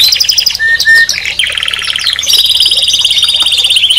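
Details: Canary singing with calls: short steady whistles and chirps, then a long rapid rattling trill of closely repeated notes, held at a steady pitch.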